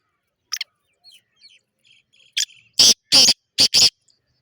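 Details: Black francolin in Sindh, Pakistan, giving a loud, harsh, grating call: four or five rasping notes in quick succession near the end, after a few faint chirps and thin whistles from other birds.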